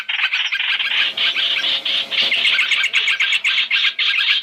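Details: Masked laughingthrush in a three-in-one trapping lure: harsh, clipped notes repeated almost four times a second in a tight, rattling run.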